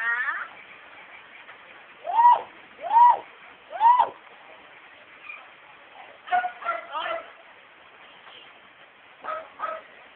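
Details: Household myna, a female pet that imitates family speech and singing, produces three loud arched whistled notes about a second apart, then clusters of chattering speech-like syllables indoors.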